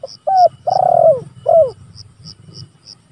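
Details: Spotted dove calling rivals, recorded as a lure and training tape: a short note, a slurred coo, a long wavering coo and a downward final coo in quick succession, then steady high ticking over low hum.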